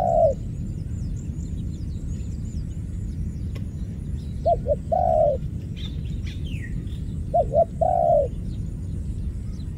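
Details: ['Ground dove at a trapping site where two were caught and one got away, giving spaced coo phrases: a single coo, then twice a pair of quick notes ending in a longer hollow coo, with steady low background noise and faint small-bird chirps.']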